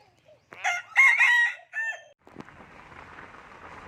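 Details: Common hill myna imitating human speech: two loud, nasal, word-like syllables, the first with a rising whistled inflection, followed by a steady hiss of background noise.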